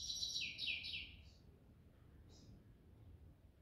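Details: Grey-headed goldfinch singing in the evening: a quick burst of bright, jangling twitters lasting about a second, followed by one short chirp after a pause and quiet background hum.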